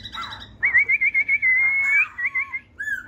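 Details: Bright, quavering high whistle from a laughingthrush, pulsing rapidly for over a second, then a few short trilled notes and a final clear whistle.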